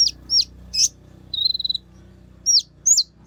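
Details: Kolibri Ninja sunbird singing energetically as a lure to stimulate other Kolibri Ninja: very high, sharp downward-hooked whistled notes spaced apart, plus one short buzzy level trill in the middle, with a faint low hum beneath.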